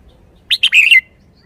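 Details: Single brisk phrase from a lively caged red-whiskered bulbul, a fast run of bright whistled notes ending in a short downward slur, the 'rik rik rik' liveliness.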